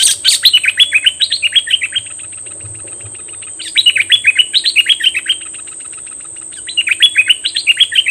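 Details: Three rapid phrases from a decoy bulbul singing at wild birds. Each is a string of bright, descending, slurred chirps at about four per second, separated by short pauses, over a steady high-pitched whine.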